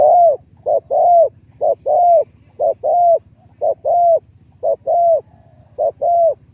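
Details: Decoy spotted dove with a medium-to-deep liu tan voice cooing in a regular short-long pattern, a clipped low hoot followed by a longer rounded coo, repeated six times in quiet surroundings.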